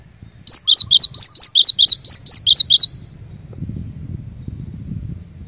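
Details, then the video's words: Cinereous tit, a lure bird used for training caged birds, giving a fast string of about eleven sharp high chirps lasting over two seconds, followed by low background rumble. "Burung Glatik Batu Pikat Gacor"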